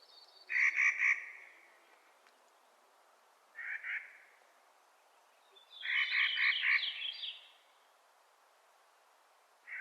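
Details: In spring, a Clark's nutcracker gives rasping, buzzy calls in uneven bursts of three, one, then four notes, separated by quiet gaps of about two seconds. A thin twittering from another bird overlaps the last burst.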